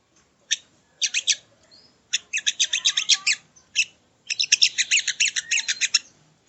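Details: Sogo ontong bird, used as training audio for cage birds: bursts of rapid, high, dry chattering notes in three groups with short pauses, plus a brief rising whistle.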